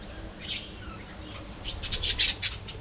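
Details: A budgerigar colony gives a faint squeak, then a lively cluster of sharp, high, scratchy chirps rising in loudness toward the end.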